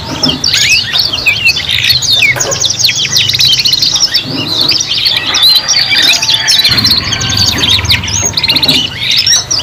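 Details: Canary song from young birds learning their sounds, three singing at once: busy high chirping and fast rolling trills, phrases tumbling over one another continuously, over a faint low hum.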